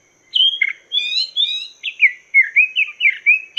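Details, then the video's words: Chinese hwamei song used as master song to teach cage birds: quick run of bright whistled phrases, slurred and rising-falling notes, about a dozen notes in fast succession with no background noise. "Masteran Burung Poksay Mandarin"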